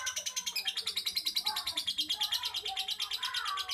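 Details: Lovebird chattering steadily, a rhythmic stream of high, scratchy pulses with softer mid-pitched twitters underneath.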